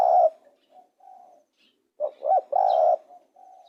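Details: Spotted dove calling: short soft coos, then a louder burst of two rising notes and a long level coo, followed by quiet trailing coos; nothing else heard.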